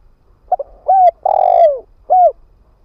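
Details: Decoy spotted dove of the ground-decoy type, calling to lure wild doves: two quick clipped notes, a rounded coo, a long rolling coo that slides downward, then a final rounded coo, low-pitched against a quiet background.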